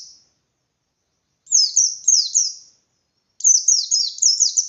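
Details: Loud ngalas singing from a bustomi white-eye, intended as bait to make less aggressive white-eyes sing and fight at contests. Two short volleys of shrill, falling chirps, four to six notes each, come after a quiet gap.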